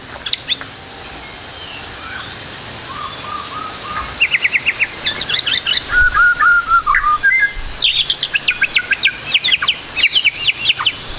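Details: White-rumped shama trotol song played as a tutor recording, rich in fillers: soft low whistles, then rapid bursts of sharp repeated notes and trills, a short falling whistle series, and a long stuttering chatter to the end.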